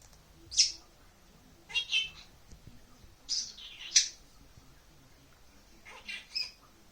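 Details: An 8-month-old Senegal parrot gives short, high chirps and squeaky kiss-like sounds in bursts every second or two and says "hey cutie", with a quiet room hum behind.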